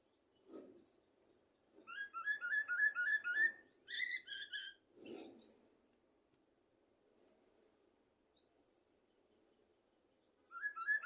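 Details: Common blackbird singing, a recording meant to teach goldfinches and canaries: rapid series of short repeated whistled notes, then a brighter cluster, separated by low dull thumps and pauses, with another burst beginning at the end.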